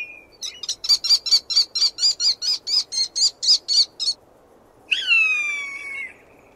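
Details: Falcon giving a fast, even series of about fourteen sharp, clipped notes. After a pause comes a long, thin scream that starts high and gradually falls and fades.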